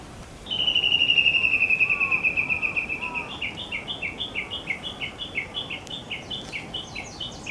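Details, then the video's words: Small wild bird singing on Mount Hakodate, Japan, 30 June 2017; a long trilled phrase of rapid, evenly repeated high notes, starting steady and shifting to slightly rising paired notes, with faint other chirps and background noise. "野鳥の鳴き声 函館山"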